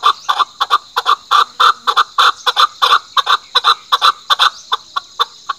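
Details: Chukar partridge (Alectoris chukar) call: a rapid series of harsh, clucking chuk notes, two or three a second, in uneven bursts over a hissy background.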